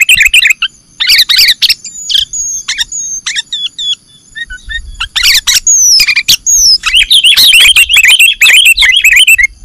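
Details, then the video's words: Kutilang, the sooty-headed bulbul of Indonesia, played to lure birds for catching: lively chattering phrases with thin falling whistles between them, building to a long bubbling twitter near the end, and faint low rumbling. "MP3 PIKAT CEPAT DAPAT"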